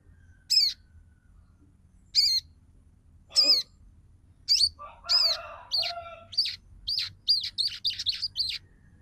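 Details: Female sogon calling the male, a call used to lure males into singing and into breeding condition, in the chattering ngeriwik style: sharp high chirps, spaced at first, then quickening into a rapid run of bright notes.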